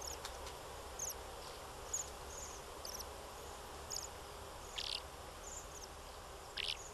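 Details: Bohemian waxwing, high, thin trilled calls recurring every second or so, joined by two louder, broader buzzy notes near the middle and end, over a faint steady hiss.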